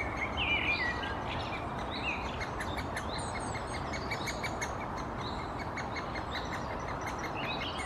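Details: Great spotted woodpecker nestling calling from the nest hole as the female parent visits to feed it, Helsinki, Finland, June 2021: a rapid, ticking chatter of high, short notes, several a second, over steady broadband noise with a few other chirps.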